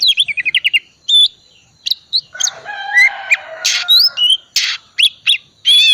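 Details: Oriental magpie-robin in full song packed with filler phrases, a lure to set silent magpie-robins singing: a quick stutter of repeated notes, then scattered sharp whistles, slurred upslurs and rasping fragments.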